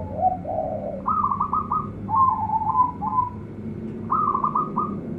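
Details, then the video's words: Young local zebra dove sings repeated runs of quick staccato cooing notes, some lower wavering phrases between them, over a constant low background hum. "PERKUTUT LOKAL ANAKAN RAJA PIKAT SUARA CEMERLANG"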